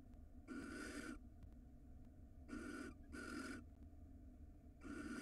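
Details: Wild barn owl pair at a nest box in Israel, filmed by a 4K camera as the male brings the female a huge rat: harsh, breathy hissing screeches in four bursts of about half a second, over a steady low hum.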